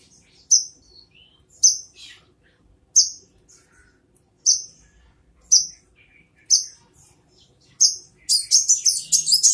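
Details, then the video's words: Brown-throated sunbird repeating piercing high chips about once a second, ending in a rapid burst of buzzy, jumbled twittering notes. "Kolibri kelapa / Brown throated sunbird"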